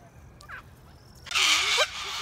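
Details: Cockatoo letting out a single loud, harsh, grating screech lasting about half a second after a quieter stretch with a few faint chirps.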